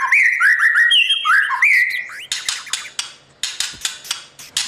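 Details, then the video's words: White-rumped shama singing in the morning for competition voice training: a fluid, warbled whistled phrase in the first half, then a series of harsh, rasping bursts repeated about three times per second. "Chòe lửa hót sáng luyện giọng cho bổi hót đấu căng lửa , chòe lửa luyện giọng"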